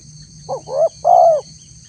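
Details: Spotted dove lure call meant to provoke wild doves to answer: a single phrase of two short rising coos followed by one long, slightly falling coo, over faint low hum and a steady high hiss.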